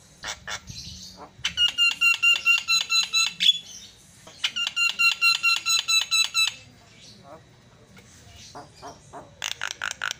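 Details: Javan myna song meant to provoke other mynas: two long rapid trains of loud ringing, buzzy pulses, separated by a pause and followed by sharp clicking and chattering notes.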